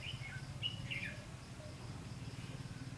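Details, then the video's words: Red-whiskered bulbul recorded during bird trapping on 19 January 2016; a few short, clear whistled warbling notes in the first second, then quieter, over a steady low rumbling hum. "Bẫy chào mào"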